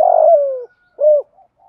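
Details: Spotted dove cooing thúc gù in the 'giọng thổ' style to draw wild doves into answering. One long hoarse coo sliding downward, then a rounded shorter coo and faint soft tails.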